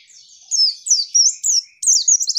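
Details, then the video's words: Provoking call of a female white-eye, aimed at stirring males to sing: a faint high twitter first, then four clear, thin, bending whistles, each slurring up and down, followed by a rising chirp. "pleci manggil lawan bikin lawan emosi"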